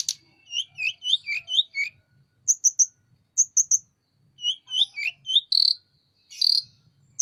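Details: Sunda robin singing actively while spreading its wings: a lively run of short, high, sharply down-slurred whistled notes in quick groups, then clipped high chips and a couple of harsher, buzzier bursts near the end.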